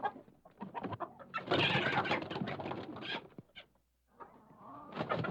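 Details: Chicken in a coop squawking as it is about to be caught: loud, harsh, broadband cackles and screeches massed together in a dense burst, with a brief pause before more squawking.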